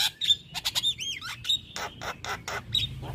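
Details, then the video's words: Very vocal male Javan myna used to tutor other mynas: clear whistles and an arched slurred note, followed by a series of evenly spaced harsh rasping bursts. "Burung Jalak Kebo Jantan Super Gacor Gurunya MAsteran Jalak"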